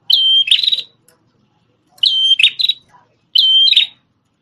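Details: Three bursts from a red-headed prenjak tamu, a prinia once used to tutor white-rumped shamas: each starts with a bright steady whistle and ends in a dry buzzy stutter, with quiet pauses between.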